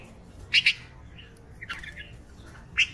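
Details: Red-vented bulbul giving a sharp, bright double chirp, followed by softer scratchy notes and a single loud chirp at the end.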